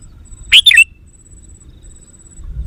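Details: A single bright three-note whistled phrase of a sooty-headed bulbul, quick and liquid, played to lure wild bulbuls. Quiet low background noise follows.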